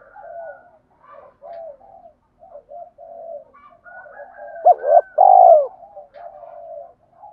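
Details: Spotted dove cooing, used to stimulate other doves to coo. Soft, low hooting coos run throughout, then a loud burst of two or three deep, rounded coos near the middle before the soft cooing resumes.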